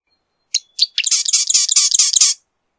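Marsh wren singing: two or three sharp introductory notes, then a fast, dry, buzzy rattle of rapid notes lasting about a second and a half. No other sounds.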